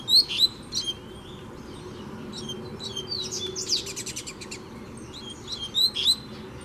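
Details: A loose double-collared seedeater challenging a caged rival: bright, high, sharp whistled phrases open and close the stretch, with a buzzy rattling burst in the middle and fainter chirps between over low hiss.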